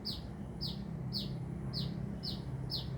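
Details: Sunbird singing busily near Binjai: sharp, high chirps that slide downward, repeated evenly about twice a second over a low, steady background rumble.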